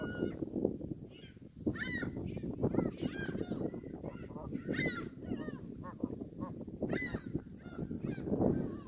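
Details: A flock of Canada geese at Hawreluk Park Lake keeps up repeated nasal honking, calls coming every half second or so, over a steady murmur of low noise.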